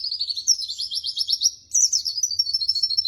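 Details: Pleci white-eye song used as training material: dense, high-pitched rapid trills of evenly pulsed notes, a brief pause, then another energetic chattering phrase of quick repeated twitters.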